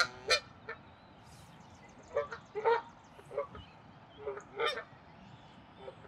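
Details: Canada goose in territorial defense at Wilde Lake, Columbia, Maryland, April 11, 2024: scattered harsh honks and short nasal calls over steady background noise, irregularly spaced.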